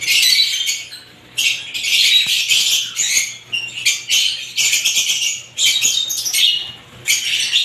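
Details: High, scratchy chatter from several kinds of lovebirds, delivered in dense bursts separated by brief silences, with a faint steady hum underneath.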